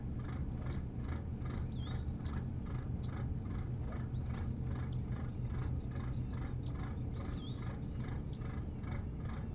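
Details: Nest camera on Hog Island near Bremen, Maine, 3 August 2018, with an osprey at its nest: thin high chirps and looping whistled notes come in loose bursts over constant deep background hum.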